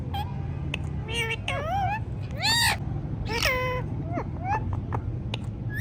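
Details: Rose-ringed parakeet, kept as a pet, talking in a rapid string of nasal, wavering word-like syllables with harsh broadband bursts between them, over low background hum.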